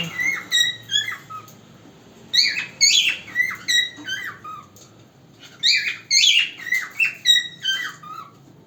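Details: A pet cockatiel sings naturally at home, bright whistled phrases with sliding notes delivered in bursts separated by short pauses.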